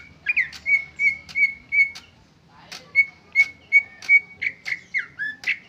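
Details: Greater green leafbird's original song, no mimicked fill-ins: two phrases of steady whistled notes about three per second, separated by a short pause, the second ending in slurred upward and downward whistles.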